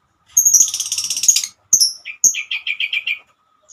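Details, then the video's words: Female lovebird calling its companions with ngekek song: a dense buzzy high trill, two sharp chirps, then a quick even series of lower whistled notes. "Kicauan burung Lovebird"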